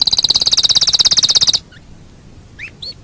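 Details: Canary song for training birds: a fast, even, pulsing trill of bright high notes lasting about one and a half seconds, followed by near silence broken by two short upswept chirps.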